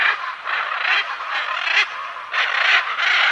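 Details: Macaws squawking almost without pause: long, coarse, grating calls that run into each other, with brief dips between bursts.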